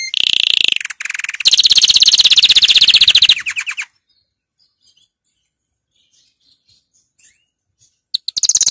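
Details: Canary giving a training song: loud, fast rolling trills for about four seconds, then near silence with a few faint clicks, and the trilling resumes at the end.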